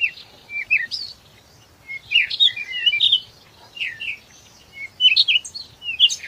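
Chickadee giving a busy run of thin, high chips and short twittering notes in uneven bursts, with several calls overlapping and brief pauses between.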